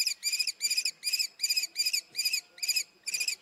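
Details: Common kestrel repeating a shrill, rasping kee note in a rapid, steady run of about nine calls.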